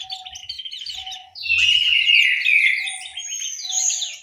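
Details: Orange-headed thrush kept in an aviary in Malang, East Java: scratchy chattered notes that burst into a loud sustained warbling whistle, with a soft low piping note repeating behind.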